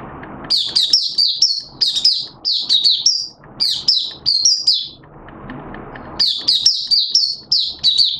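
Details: Malaysian Oriental white-eye giving its 'buka' opening song, recorded Sunday 21 June 2023: rapid high twittering phrases of sliding chirps in three bursts separated by short pauses, with a low background hum between phrases.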